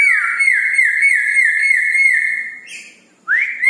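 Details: Red-breasted parakeet singing at night: a steady rolling trill of repeated downward-slurred whistled notes, a short pause, then a sharp rising whistle.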